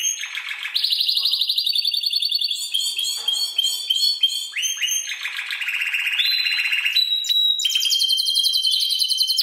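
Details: Seven-month-old Spanish Timbrado canary, song learned from recordings of other timbrados, runs continuous rolling trills that shift pitch, with bell-like notes between them.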